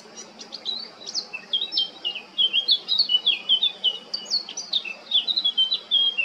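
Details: Eurasian blackcap male recorded 20 July 2022 in Baška, Krk island, Croatia: a continuous rich warble of fast, varied whistled notes, some scratchy, rising to a loud, fluty, rhythmic passage, over a low steady background hum.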